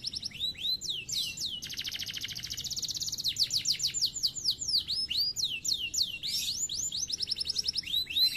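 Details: Canary song mixing loud downward-sweeping whistled notes with a dense rolling trill, phrases changing quickly in a continuous high-pitched flow.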